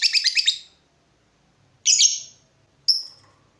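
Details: Lovebird in active song: a quick stuttering burst of raspy notes, then a pause, a longer harsh screech, and a short sharp squeak.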